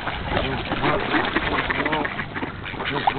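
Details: A large flock of ducks calling during a feeding frenzy: a dense, overlapping chorus of nasal quacks in rapid, uneven bursts, with splashing and chatter beneath.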